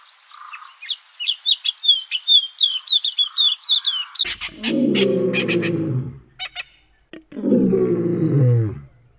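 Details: Cape white-eye calling in a garden: rapid, high, thin chirps and short twittering notes, several per second, for about four seconds. A loud, low, harmonic droning sound with sharp clicks then takes over and drowns out the bird.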